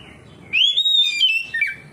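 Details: Oriental magpie-robin answering another magpie-robin with 'ngeplong' song: one long, clear, rising and then level whistle, followed by a quick slurred, descending flourish.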